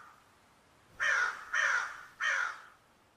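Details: A crow gives three loud, raspy caws in quick succession after a second of near silence, each drawn-out and slightly falling, in a calm setting.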